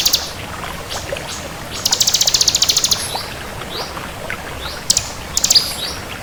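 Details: Active bar-winged prinia of the 'kristal' type: one rapid high trill of about one second, surrounded by scattered short rising squeaks and sharp chips.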